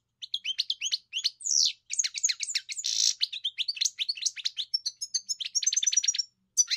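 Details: Lively, continuous twittering from a European goldfinch: fast, bright chirps mixed with buzzy rasps and ending in a run of clear, repeated whistled notes.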